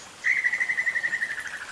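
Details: Great tinamou alarm call in primary rainforest, Osa Peninsula, Costa Rica, given after sensing danger: a fast, quavering trill of about ten pulses a second on one fairly high pitch, lasting a second and a half and drooping slightly at the end.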